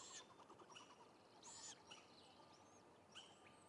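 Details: Great grey owl at a nest with young, around a rodent delivery to the youngest at about 11 am: three harsh, hissing screeches about every one and a half seconds, with small birds chirping and whistling high in the background.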